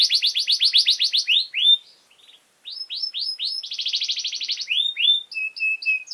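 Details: Canary song meant for teaching young birds: quick repeated downslurred notes, a short pause, swooping whistles, a dense buzzy trill, then spaced flat whistled notes near the end.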